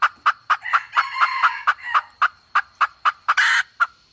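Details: Red junglefowl bait hen calling: a quick run of sharp, mid-pitched clucks, about four a second, with a faint steady high whine behind.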